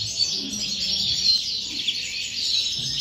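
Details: European goldfinch singing a 'corona' phrase in five 'remesas': a dense, continuous high twittering warble of quick chirps and trills, steady throughout with a few brighter accented notes.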